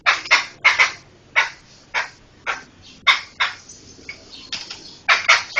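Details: Laughingthrush singing, recorded as a master track for teaching other songbirds: grating, scratchy bursts in uneven sequence, some doubled in quick pairs, others spaced nearly a second apart, all rough and loud.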